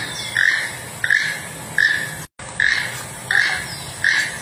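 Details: Repeated rough, croaking toucan notes at an even pace, roughly every seven tenths of a second, with a short break midway and steady hiss behind.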